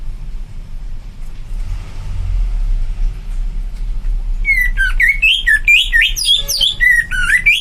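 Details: After four seconds of low rumbling background noise, a greater green leafbird breaks into loud, fast song: varied whistles swooping up and down with chattering, chirpy notes delivered in a continuous tumbling stream.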